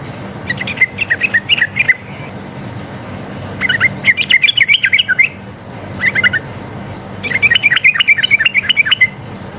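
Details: Sooty-headed bulbul in a lively, fighting-style forest song used as a lure to make other bulbuls answer: four bursts of quick bubbly chirped notes, each lasting one to two seconds, with short pauses between and a low hum behind.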